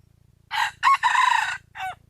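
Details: Wild junglefowl crowing, a recording from 2021 used to lure birds in: a short opening note, a sharp break, then a long strained, wavering phrase and a brief falling final syllable. A faint low hum runs underneath.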